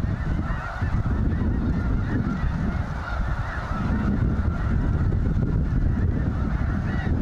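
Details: Thousands of snow geese gathered at Goose Pond Fish & Wildlife Area, Linton, Indiana, raise a dense, continuous chorus of overlapping honks, nearly deafening, over heavy low rumble.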